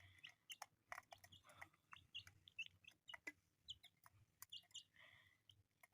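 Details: Colourful pet chicks giving sparse high peeps among many sharp clicks and pecking or scratching sounds, over a constant low electrical hum.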